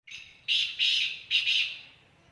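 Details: Black francolin calling at Khushab: a faint lead-in note, then three loud, harsh, grating notes in quick succession, each about a quarter second long, ending in a fading tail.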